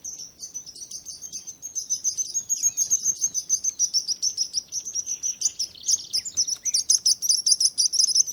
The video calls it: Bird Sounds